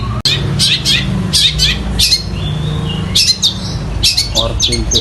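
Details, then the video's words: Long-tailed shrike song copying sparrows in a fight and a kingfisher: clusters of harsh, descending chirps and scratchy notes in spaced bursts, with a sharp click near the start and steady low hum. "Cendet Gacor suara Gereja Tarung dan Tengkek Buto"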